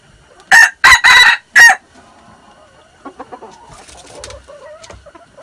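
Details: Six-month-old red junglefowl, recorded 13 March 2019, gives a loud, harsh crow of four broken syllables packed into about one and a quarter seconds. Faint chirps and soft clucking follow in the quiet background.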